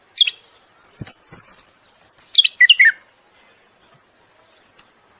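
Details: Bulbul mating song urging a female to breed: an opening chirp, soft rustling taps, then a loud, fast cluster of sweet, dropping whistles, fading to quiet.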